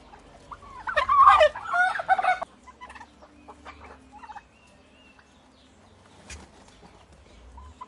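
A turkey gives one loud, rapid, rattling gobble lasting about a second and a half, followed by quieter clucks and faint background sounds.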